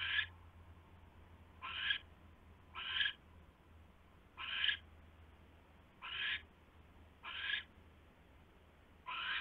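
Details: Owl at the nest after midnight on 27 January 2016, bringing a huge rat; short, harsh hissing screeches every one to one and a half seconds, seven in all, against a faint low hum.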